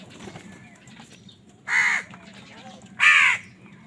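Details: Crow calling while fighting over food: two loud, harsh, grating caws, each about a third of a second long and about a second apart, over a low steady background hum.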